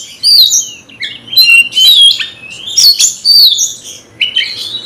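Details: Fighting-provoked kacer, a caged magpie-robin, delivers loud slurred whistles and harsh squawky notes in quick phrases about every half second, high-pitched with sweeping downward and upward glides.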